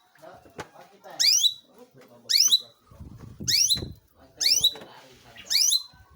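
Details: Long-tailed shrike singing vigorously: harsh, buzzy notes sweeping steeply downward, given in loud bursts about once a second, with faint lower chatter between bursts.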